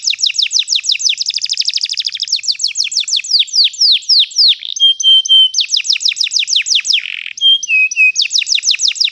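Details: Canary roll song for training young canaries: dense rapid trills, sweeping descending notes, a flat steady whistle and a buzzy note, repeated in varied tours.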